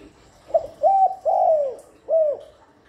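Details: Continuous calling of a spotted dove, used as a lure for doves: a brief first note followed by three drawn-out, soft coos that fall away at the close. No other sounds.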